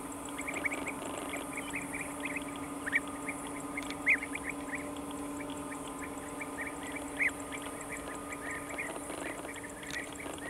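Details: European bee-eaters near their colony in Thrace call steadily: short, liquid, rolling 'prruip' notes from several birds, some near and some distant, over a constant low mechanical hum.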